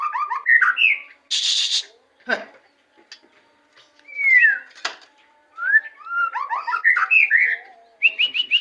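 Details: Song of a white-rumped shama in Indonesia: bright whistled phrases and quick descending slurs alternating with a harsh buzzy rasp, sharp clicks and pauses, ending in rapid repeated whistles.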